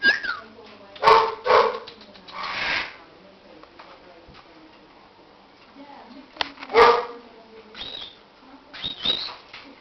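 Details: Captive baby cockatiels, restless chicks, giving harsh, raspy calls in short loud bursts, two close together near the start and another group later, with quieter rustling and soft murmurs between.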